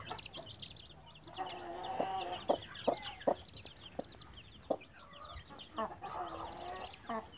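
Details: Chicks peep busily in high, rapid chirps around a Blue light mother hen, who adds low clucks and several sharp tapping knocks through the middle of the recording.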